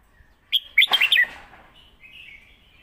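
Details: Caged competition red-whiskered bulbul singing a teaching phrase for young birds: six quick whistled notes, partly covered by a short clattering noise, followed by a softer, faint warble.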